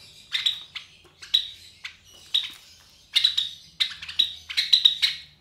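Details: Java sparrow chicks roughly 23 days old, three raised by white Java sparrow parents at home; clear, strong bursts of buzzy chirps in quick clusters, growing busier after three seconds.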